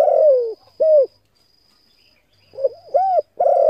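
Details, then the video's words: Spotted dove giving its low cooing phrase, meant to excite decoy birds. A long sliding coo and a short one, a silence, then a stuttering triple coo ending in a sustained note. A thin high tone persists. "Tiếng cu gáy hấp dẫn đủ bài thúc gù gáy gọi kích mồi tập bổi nhanh nổi hiệu quả"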